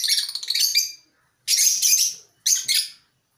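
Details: African lovebirds in a colony: three shrill, raspy bursts of chatter, the first about a second long, then two shorter ones after brief gaps.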